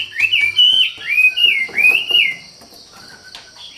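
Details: Treepie (wambi) singing vigorously: a quick run of clear, slurred whistles rising and falling in three or four phrases over about two seconds, then quieter, with faint background hiss.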